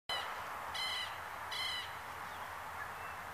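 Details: Southern lapwing giving two harsh, strident notes about three-quarters of a second apart, each rich in stacked overtones, above a steady broadband background hiss.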